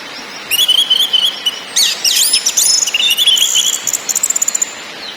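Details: Singing orange-headed thrush, a lure for caged birds in ngakrak, ngeplong and nyiul styles: a wavering whistled phrase, a fast jumble of swooping notes, then a buzzy stuttering rattle to finish.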